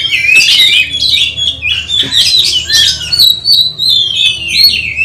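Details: Oriental magpie-robin (kacer) being put through a mental test while preparing for a songbird contest; loud, rich, varied song of fast whistled and scratchy phrases, rising and falling, in nearly continuous bursts with brief pauses, in a small indoor space.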